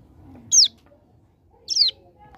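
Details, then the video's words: Hill prinia from a mountain area in a tutor recording. Two loud, clear, high whistled notes slide steeply downward about a second apart. "Ciblek Gunung Paud Gacor Ngebren Ak47"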